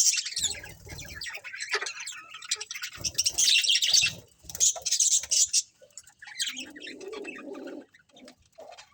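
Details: Colourful budgies in a colony giving a steady stream of high chirps and scratchy chatter, with softer low rustling and murmuring sounds beneath.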